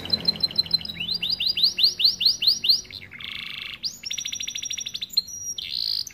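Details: Starblue AF canary tutor song for young canaries: a string of looping whistled notes repeated about twice a second, then a steady buzzing roll, fast trilled pulses and a final high sustained note.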